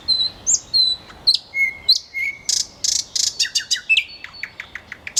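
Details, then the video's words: A common nightingale sings a rich, varied phrase: high thin whistles, a steady lower pure note, then harsh buzzy notes and a fast run of repeated chips. "Nightingale Singing"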